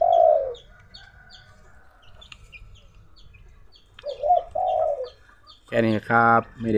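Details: Dove cooing under strong midday sun in the early afternoon: a single low coo, a quiet gap with thin high chirps from small birds, another coo phrase, then loud harmonic voice-like sounds.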